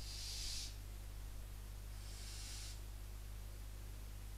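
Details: At night in Cabañeros National Park, Spain, barn owl chicks in a nest near a visitor centre beg from a distance as a genet prowls nearby. Two long, breathy hisses about two seconds apart sound over a constant low hum.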